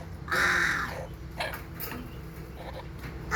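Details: A single loud, harsh hornbill honk of under a second, then quieter scattered notes and the start of another call, over a continuous low hum.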